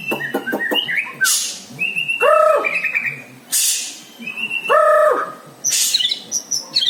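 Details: White-rumped shama singing with mimicked phrases of lovebird and prinia calls: varied clear whistles, short chirps and arched double-tone notes repeated twice, broken by loud hissing bursts, with a slight low hum behind.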